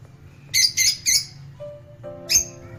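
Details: Rose-faced and Fischer's lovebirds, pet birds, in a recording played so that caged birds sing, feel safe and breed. Three quick harsh squawks, a pause, then one more loud shriek, over a steady low musical tone.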